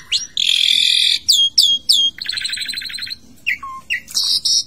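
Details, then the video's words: Asian pied starling singing in a bathing cage, varied repertoire: a harsh buzzy burst, then sharp downslurred whistles, a rattling chatter run, and short clear whistled notes ending in loud squealing phrases. "Jalak suren bongkar isian di keramba pemandian"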